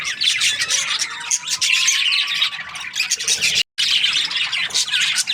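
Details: Australian budgies chirping in the breeding season, steady high twittering and warbling from several birds, with one brief full silence near the middle.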